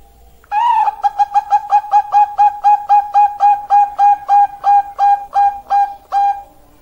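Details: Zebra dove song: a long, steady series of about twenty mellow, clipped coos delivered rapidly at an even pace, finishing with a drawn-out coo.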